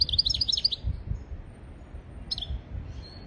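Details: European goldfinch singing on a tutor recording meant to teach goldfinches and canaries: a quick run of high, bubbly twittered notes, a gap, then a short chirp and a thin trailing whistle, with low background rumble.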